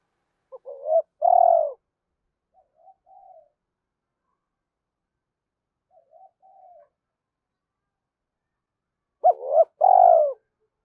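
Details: A spotted dove coos to stimulate other doves. A short double-note phrase opens and another closes the stretch, with faint brief mutterings during the long quiet gap between them.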